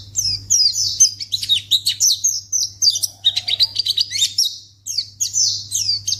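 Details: A white-eye (pleci) gives lure calls intended to make other white-eyes answer right away: a rapid chatter of sharp, high chirps and buzzy trills, with a short pause near the fifth second, over a continuous low hum.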